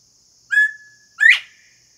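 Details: A wild male Northern Bobwhite sings on a house doorstep in summer, giving its clear two-part whistle: a level note, then a loud, sharply rising one. A steady high insect hum runs beneath.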